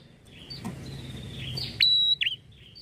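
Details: Red-headed prinia, a lure for making other prinias answer: soft thin notes rise to one loud, sharp, level whistle followed by a quick double chirp, over a low rumbling background.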